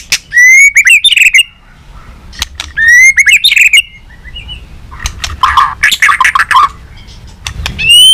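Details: White-rumped shama in tail-flicking competitive song; two matching phrases, each a sustained whistle breaking into rapid slurred notes, then a burst of harsher chattering notes and a final rising whistle.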